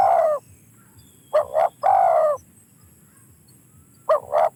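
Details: Spotted dove coos: a long falling note, then a quick two-note coo and another long drawn-out note, followed by a further double coo after a pause.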